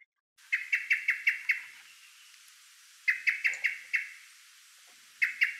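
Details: Common blackbird in the evening giving sharp, metallic chinking alarm notes in quick bursts of four to six with short pauses between runs, the kind of alarm it raises at most disturbances, such as a cat let out.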